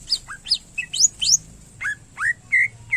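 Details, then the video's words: Loud, clear greater green leafbird song: sweeping upslurred whistles, then several drooping slurred notes and short flat whistles spaced about half a second apart, a fill-in style phrase. "Cucak Ijo Gacor Isian Pilihan Terbaik"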